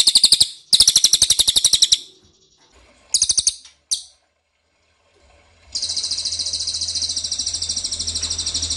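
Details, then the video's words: Ashy tailorbird calls played as a lure to draw answering birds: bursts of rapid high chattering notes broken by short gaps and silence, then a long sustained fast trill with a low hum beneath. "PANCINGAN CILILIN DIJAMIN NYAHUT!!"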